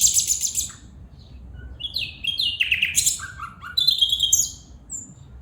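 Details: A calling female bulbul gives a burst of high twittering, then quick sliding chirps stepping downward, short clear whistled notes, and a final run of fast high twitters.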